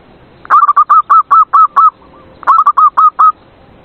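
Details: Zebra dove played at night as a lure to prompt reluctant caged doves to sing; a loud series of clipped, hooting coos, eight quick notes, a short pause, then seven more, on a quiet background.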